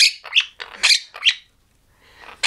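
A monk parakeet gives a rapid burst of harsh, raspy squawks, then a pause and one more.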